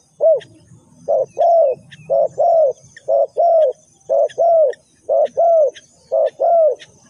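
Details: Lure recording of a spotted dove for bird trapping: a steady run of paired coos, short then longer and falling, repeated about once a second, clear over a quiet background.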